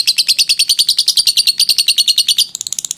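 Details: Lovebird long ngekek trill for training birds: a tight series of clear, high, piercing pulses, about eight a second, ending in a faster, thinner flutter.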